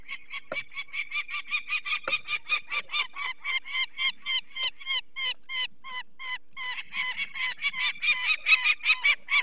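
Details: Adult female Peregrine falcon at its nest in the Barycz Valley, Poland, on 2 May 2023, alarmed as people remove one of its four chicks, which had eye problems. Harsh, cackling notes repeat steadily about two to three times a second and grow louder toward the end.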